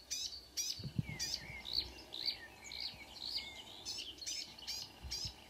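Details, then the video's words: Marsh warbler singing at 5 a.m. on 2 June 2009 near Ski, Norway, possibly mimicking other birds: fast varied chattering of sharp high notes and short whistles, several elements per second, with faint low rumbles beneath. "The song of a *Acrocephalus palustris* Myrsanger / Marsh Warbler"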